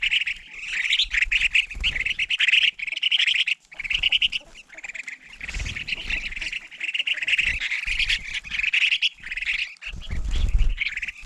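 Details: A flock of crested finchbills at a feeder in winter: continuous harsh, buzzy chattering calls overlapping from many birds, with brief gaps and low thumps and handling noises throughout.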